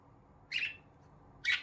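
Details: Two short, rasping chirps about a second apart from pet budgerigars indoors, part of their happy early-morning calling in a quiet room.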